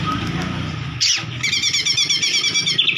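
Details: Oriental magpie-robin song used to provoke another bird into singing: after a brief high burst, a rapid run of bright, repeated chirping and whistled notes fills the second half, over a steady low traffic rumble.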